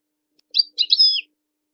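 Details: European goldfinch kept for song-competition training, giving a short burst of high twittering notes: a few quick chirps then a bright rising-falling trill lasting under a second.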